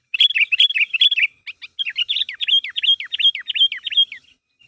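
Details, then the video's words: Sooty-headed bulbul (kutilang) calling to draw a response: steady string of sharp chirps, several loud notes then a long even sequence of downward-hooked whistles, about three per second. "Suara Burung Kutilang Gacor Memanggil Temannya Agar Bunyi"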